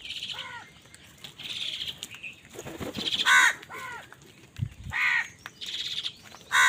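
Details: Crows fighting for food give repeated harsh, nasal caws in short bursts of two or three, loud and raspy, with quieter chatter and a few thumps between them.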